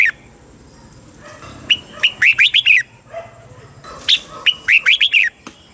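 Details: Red-whiskered bulbul from Thailand in southern-style song, played to excite caged birds and teach young ones: two bubbly phrases of five or six quick, slurred whistles each, separated by a brief pause.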